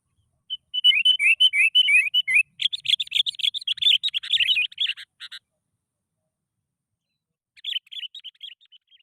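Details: Sooty-headed bulbul song played to trigger singing in reluctant bulbuls: a fast series of repeated sweet chirped notes flows into a dense, excited chattering warble, then a silence and a final brief burst of chirps.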